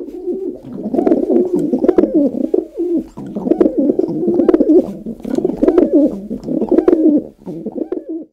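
Rock Pigeon giving low, throaty, rolling coos in long overlapping runs, with two brief pauses; nothing else stands out.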